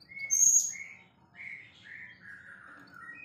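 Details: White-rumped shama described as a champion, singing busily: a bright high whistle followed by a string of softer, slurred mid-pitched whistled notes drifting slowly downward, over a faint low background hum.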